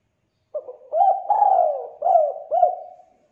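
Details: A single spotted dove phrase in the 'kuk 2' gacor style, a lure to set doves calling: a soft opening note, a quick coo, a long sliding coo, then two short rounded coos fading away. Background is quiet.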